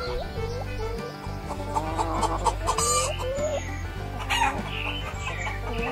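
A hen clucks in short, throaty, repeated notes over steady background music.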